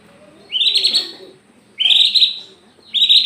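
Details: Aceh white-rumped shama singing intensely with its tail spread: three loud, rich whistled phrases, each opening with a rising sweep and then holding bright, warbling notes, separated by short pauses.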